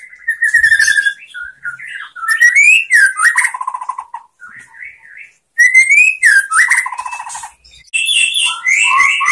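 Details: White-rumped shama master song used to train other shamas: rich whistled phrases that slur upward and downward, mixed with fluttering rattles and short pauses between phrases.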